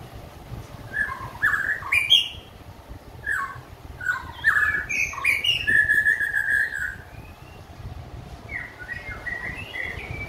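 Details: Singing white-rumped shama after finishing its moult: bursts of loud whistled phrases with quick upward slurs, a sustained fluty note near the middle, then a pause before a softer rising phrase; faint low hum behind.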